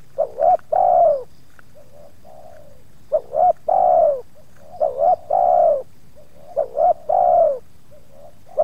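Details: Spotted dove used to lure wild doves, with two wild birds approaching and the second showing some resistance. Mellow, low coos in a phrase of two short notes and a long drawn coo, repeated about every 1.7 seconds, with softer coos between.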